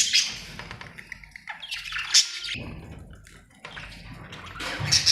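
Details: Happy budgerigar chirping: a dense, scratchy chatter of squawks and warbles with bright high bursts, loudest at the start, around two seconds and at the end, with a lower rough tone between.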